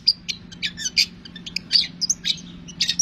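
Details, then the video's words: Long-tailed shrike in energetic full song, meant as a lure to draw other shrikes into singing: quick sequence of sharp, high squeaky notes and chattering chirps delivered in irregular clusters with brief gaps between them. "cendet kicau istimewa | cendet gacor"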